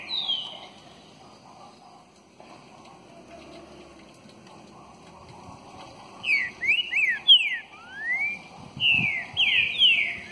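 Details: Green-winged saltator (Saltator similis), song.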